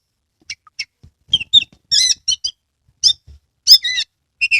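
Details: Oriental magpie-robin song played to encourage lazy or untrained birds to sing; scattered squeaky chirps and buzzy notes in short irregular bursts, some faint low thumps.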